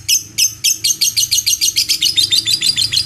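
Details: Lovebird performing the long 'ngekek' chatter: harsh, high, buzzy notes that start spaced apart and then speed into a steady rapid stream of grating pulses, with a faint low hum underneath.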